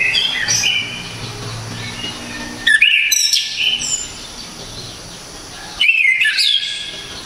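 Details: Orange-headed thrush from Java in loud, clear song: two vigorous phrases about three seconds apart, each of looping, rising whistles with high overtones, separated by softer, distant-sounding notes and steady low hiss.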